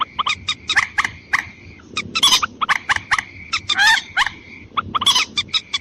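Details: Lure call of a watercock aimed at attracting females and males: choppy, nasal, repeated squawking notes in irregular bursts, a few harsher rasping notes mixed in, with a low continuous hiss underneath.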